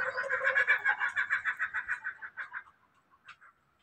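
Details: Laughing kookaburra giving its laughing call: a rapid series of harsh rhythmic hoots, about three per second, fading away toward the end, then a couple of isolated notes.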